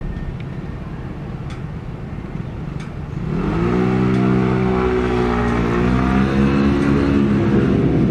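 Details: A car engine idles, then revs and accelerates loudly with a rising whine; no animal call is heard.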